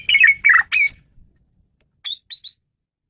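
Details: Male Asian pied starling, used to lure birds, opens with three loud harsh, grating squawky phrases, then after a silence adds three short sharp high whistled chirps.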